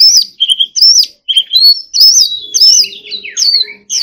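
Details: An Oriental magpie-robin sings loud, clear whistled phrases, each slurring up or down and separated by brief gaps, with a soft steady hum in the background.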